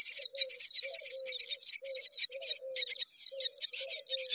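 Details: Myna babies being fed again and again: loud continuous rasping, hissy chatter in quick pulses, with soft low drawn-out tones running underneath.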